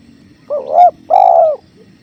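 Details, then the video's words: Spotted dove cooing beside a clear flowing river: a brief hooting note followed after a pause by a longer, level, husky coo, with gentle water murmur beneath. "Masteran Tekukur"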